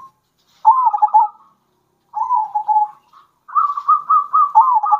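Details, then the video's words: Zebra doves, local Indonesian birds both wild and captive-bred, in a lure recording of alternating bekur and kerot song meant to rouse other doves; three bursts of rapid, pulsed, rolling coos near one pitch, separated by silent gaps. "Kombinasi Suara Perkutut Lokal Gacor Bikin Perkutut Emosi"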